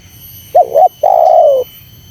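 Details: Spotted dove, a call used to provoke wild doves: two short hooked notes then a long drawn-out coo sliding slowly downward, loud and clear over faint low background hum.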